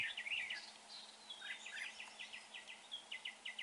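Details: Red-whiskered bulbul, during trapping, praised for its good voice: a bright, bubbling phrase opens, then runs of quick repeated clipped notes follow in short trills, over a faint constant hum.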